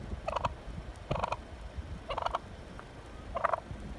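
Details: A wild turkey gives four rapid, rattling gobbles about once a second, each a quick burst of throaty notes, over a low engine-like rumble. It honks, pecks and chases a car.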